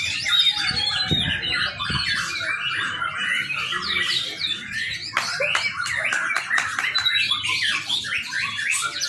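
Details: Young white-rumped shama, its song used to train other birds: flowing series of slurred whistles and chirps, a brief pause, then a burst of sharp clicking notes followed by more varied warbling.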